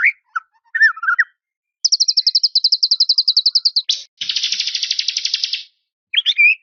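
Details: White-rumped shama song with full fill-in phrases (isian), used to call out and provoke a rival. Low whistled notes, then a rapid, high, even trill of about twenty-five notes, a sharp note, a dense buzzy trill, then whistles again. The background is clean.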